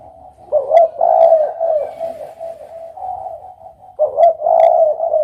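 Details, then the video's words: Two rich, low coo phrases from a Spotted dove, about three seconds apart, each starting with a clipped note then a sustained rolling coo, above a continuous quiet background cooing. "suara burung derkuku"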